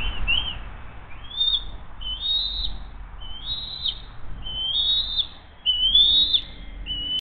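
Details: Early-morning feeding at the Hays bald eagle nest, June 20, 2023, the mother bringing a second fish for her eaglet. Repeated high, thin, slurred whistles about once a second, over low rumble and a faint hum.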